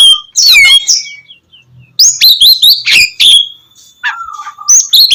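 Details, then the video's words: Oriental magpie-robin singing energetically, a recording for prompting lazy birds to sing in the morning; a scratchy trill, a short pause, then bright clipped whistles and chirps with a lower warbled note near the end. "KACER GACOR cocok buat pancingan kacer malas bunyi dipagi hari"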